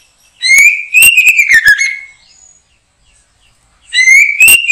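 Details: White-rumped shama heard while being trapped behind a house, singing a strong rising whistle broken by sharp clicks, then a falling slur, with a second phrase starting after a pause.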